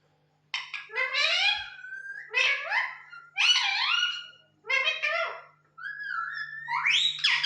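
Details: Pet parrot talking indoors, mimicking speech in several separate bursts of harmonic, voice-like syllables with rising and falling tones, short pauses between phrases and a steady low hum behind.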